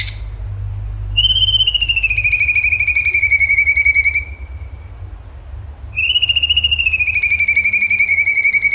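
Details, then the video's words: Cucak cungkok, actively singing in long bursts: two prolonged, slightly falling, buzzy whistled notes with fast trembling pulses, separated by a brief lull. "CUNGKO GACOR TEMBAKAN HOT SUPER TEJEM"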